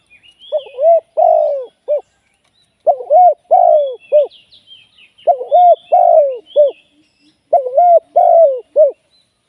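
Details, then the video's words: Spotted dove kept as a live decoy for trapping, cooing in mellow low phrases of three to four notes with a drawn-out middle note, repeated about every two and a half seconds; thin high chirps from other birds run above. "เสียงนกเขาใหญ่ ต่อสด"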